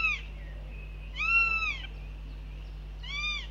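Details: Northern goshawk at the nest at breakfast, telling off the visiting male; one clear, slightly arched wailing call in the middle, with fainter partial calls at the start and end against a steady low hum.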